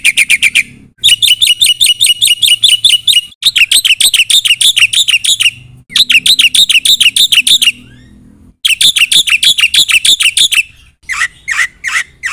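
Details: Black-winged myna in energetic, filler-packed song meant to provoke other birds into answering: loud bursts of rapid, harsh, high chattering notes, about three per second, broken by short pauses.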